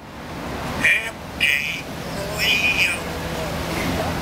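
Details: African grey parrot at a park singing Happy Birthday: a few separate voiced notes, the later ones drawn out and wavering, over constant outdoor background noise.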